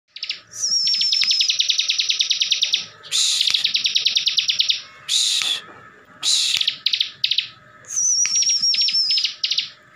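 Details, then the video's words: Caged bar-winged prinia (ciblek) from Slawi, Tegal, Central Java, singing nonstop in ngebren style, which provokes other ciblek to answer. Rapid machine-gun trills of high buzzy notes, broken by loud harsh bursts and a thin wavering whistle near the end. "CIBLEK GACOR FULL NGEBREN || BIKIN CIBLEK LAIN NYAUT DAN EMOSI"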